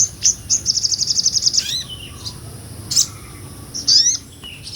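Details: Sunbird, a small nectar-eating bird, singing in ngobra style, recorded for tutoring songbirds: a rapid high trill of evenly spaced sharp notes, then a pause and scattered thin whistled and slurred notes.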